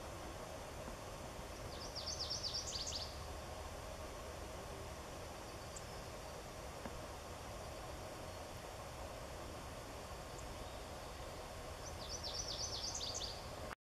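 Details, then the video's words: Songbird on Larch Mountain giving two short, very high, rapid jingling phrases about ten seconds apart, with steady low rumbling background noise throughout. "Bird Song"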